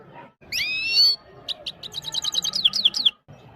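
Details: Himalayan goldfinch song from Parachinar, sung for a female: a drawn rising whistle, then a lively series of high twittering notes and down-slurred chips over faint background noise.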